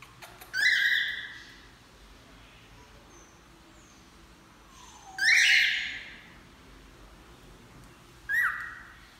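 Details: Cockatiel that talks and sings, saying "Que menino bonito". Three short, harsh, harmonic bursts are spaced several seconds apart, with a faint gliding whistle between the first two.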